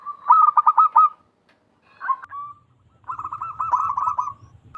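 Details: Loud, full-voiced call of a wild local zebra dove, of the kind used as a trapping lure: a quick stuttering trill of cooing notes, a short pause, then a longer rolling trill, with a faint low hum beneath.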